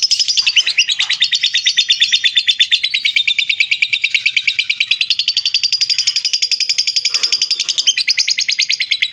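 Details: Lovebird in full ngekek, a sustained chatter used as a master recording for training birds; harsh high pulses stream on for nine seconds, wavering in pitch, with a brief catch near the eighth second.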